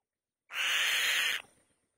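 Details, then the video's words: Female white-tailed kite calling loudly on the nest: a single harsh, raspy screech lasting about a second, starting abruptly and cutting off cleanly, with no other sounds. "White-Tailed Kite | The Female Bird Makes a Loud Noise On The Nest"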